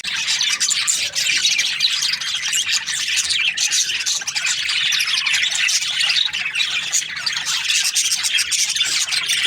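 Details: Flock of Australian budgerigars chirping in breeding season, an unbroken high, scratchy chorus of many overlapping chirps and squawks that stays dense throughout.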